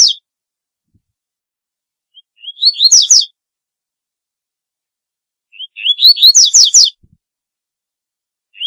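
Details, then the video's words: Double-collared seedeater song, known locally as corbatita, used for calling birds: two bright phrases about three seconds apart. Each opens with short rising chips and ends in a quick burst of high, descending slurred notes. The background is silent. "Corbatita Canto Para LLamar 2 - Double-collared Seedeater Call Song"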